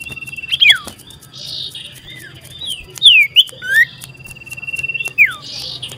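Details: Common iora, locally sirtu or cipoh, singing loud and continuous while seeking a rival, recorded 27 December 2022: varied whistled slurs and falling notes with buzzy bursts and a long level whistle, over low background hum.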